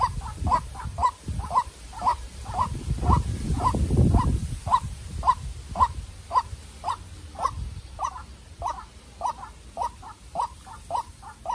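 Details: Young farm-raised white-breasted waterhen decoy in a fierce call duel with a wild rival: a long steady series of hollow croaking notes, roughly two per second, about twenty-two in all, with a brief rumbling background noise midway.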